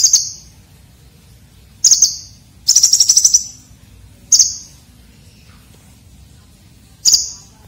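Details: Red-breasted Konin singing a rough, sharp-filled song used to train competition birds: short piercing high notes in isolated bursts, one quick stuttered run of repeated chips midway, with long pauses and a low steady hum beneath.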